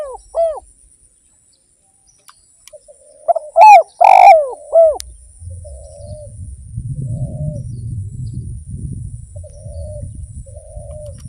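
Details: Spotted dove lure song: a single full phrase of stutter and husky swooping coos, then soft purring notes while a low rumbling noise rises in the background.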